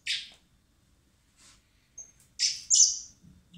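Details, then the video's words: Common blackbird chicks hand-fed in spring at a recovery centre before release beg with a harsh rasp, a soft pause, then an intense burst of loud grating squeals, with faint low handling noise. "Cebando a los polluelos de mirlo común (Turdus merula)"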